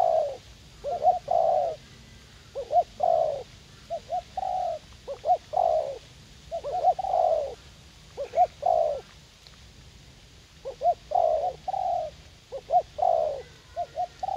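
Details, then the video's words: Decoy spotted dove in a garden at U Minh, young, wild-caught and eager to fight, cooing at length in repeated low phrases of quick double notes and a long hollow coo, with a brief lull in the middle. "Gác Cu Gáy / Bổi Tơ Háo Đá"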